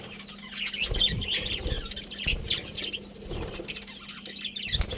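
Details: Budgerigars in a colony give scattered high, squeaky chirps over a steady background hum, mixed with soft rustling and wing flutters.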